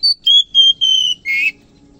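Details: Oriental magpie-robin in the morning giving four loud, pure, level whistled notes followed by one harsher, buzzy rasping note, all within two seconds.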